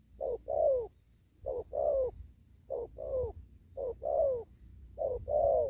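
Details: Spotted dove in a rural upland field, cooing in the style locally called 'đồng thúc gù': five phrases, each a short low coo followed by a longer, slightly falling coo, repeated about every 1.2 seconds. A faint background hum is audible.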